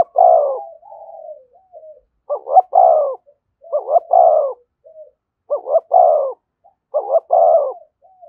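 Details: Rapid thúc gù calling from a spotted dove close to a decoy: five loud coo phrases in quick succession, each a stuttered pair then a sustained throaty note, with brief soft coos between.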